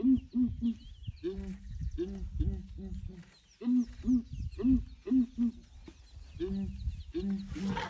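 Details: Deep, hollow booms from a group of ground hornbills calling one morning, watched by an investigating breeding herd of elephants; notes repeat in steady trains of three to five, separated by brief pauses and low background rumble.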